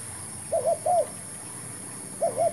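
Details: Spotted dove, a new decoy bird used to lure wild doves into a new trap, giving a short burst of low, mellow cooing: a soft paired coo, a pause, then another coo pair, over a steady high background hiss.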